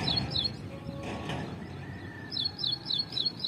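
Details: Ashy prinia in a tree giving short runs of high repeated chirps, a couple of notes at the start and a longer run near the end, with a rustling noise and a faint whistle between.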